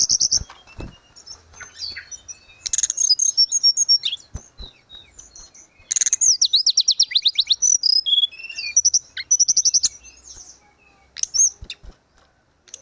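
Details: Lively 'gacor' song of a grey-cheeked bulbul, played to caged birds that have stopped singing or to teach them. Fast runs of sharp high notes and buzzy trills alternate with quieter gaps, plus occasional clicks.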